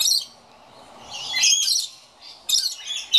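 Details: A scaly-breasted lorikeet, complaining at an empty birdfeeder, gives three shrill, harsh, grating screeching bursts within about three seconds, with brief pauses between.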